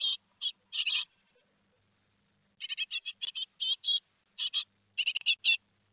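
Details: Great tit chicks at Théding on 15 July 2020, two days before fledging: bursts of harsh chirps, a brief pause, then a fast series of raspy notes in twos and threes with faint clicks.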